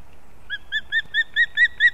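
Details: Osprey chicks vying at a nest in Kurzeme, Latvia, on 11-9-24 give seven short, clear, high whistled chirps in quick succession, growing louder through the sequence.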